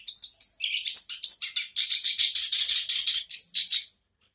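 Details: Black-browed reed warbler singing again after a quiet spell: a fast run of harsh, scratchy chattering notes, with a few clearer whistled phrases, delivered in bursts over about four seconds before stopping.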